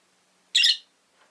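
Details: A brief, raspy squawk-chirp from a rosy-faced lovebird in a window-side cage shared by five birds, harsh and broad, followed by a faint murmur of background sound.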